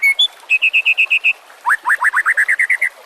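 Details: White-rumped shama song recorded as a master for tutoring other songbirds: a steady row of seven clear whistled notes, a brief pause, then a quick run of rising slurred whistles.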